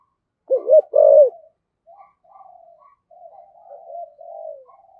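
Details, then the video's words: Caged decoy Spotted Dove in 'thổ' voice giving a brief loud burst of two deep coos, then a string of quiet, soft murmuring coo notes trailing off. "Chim Cu Mồi, chim cu gáy giọng thổ thúc gù và gáy gọi hai hậu rất chuẩn"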